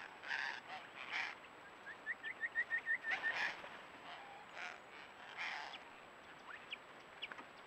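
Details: One of many spiny-cheeked honeyeaters in the Mallee gives a quick run of about nine short, upslurred whistled notes, then scattered single notes, amid bursts of wind or rustling noise.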